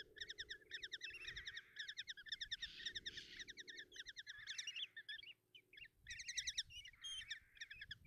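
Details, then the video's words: At a nest box in Tiszalök, Hungary, on June 30, 2024, common kestrel chicks clamour as their mother brings breakfast: bursts of rapid harsh chittering with rasping wheezes mixed in, a brief lull near the end before calling resumes. "Common Kestrels (Tiszalök, Hungary) | Mom brings breakfast and feed chicks"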